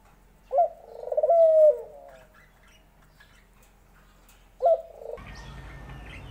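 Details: Two soft, low coo phrases from a dove, the first a short note leading into a longer swelling hoot. A burst of rustling noise comes in near the end.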